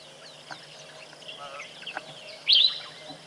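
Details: A Dark-capped Bulbul calls at Tembe in late February, giving one short, bright, liquid phrase that jumps up and then dips, over a soft background of faint distant bird notes.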